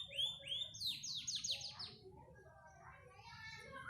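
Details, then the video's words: Panda canary singing: rapid series of repeated high trilled notes sweeping downward, given in quick bursts over the first two seconds before fading to quieter, fainter phrases. "Suara Burung Kenari Panda"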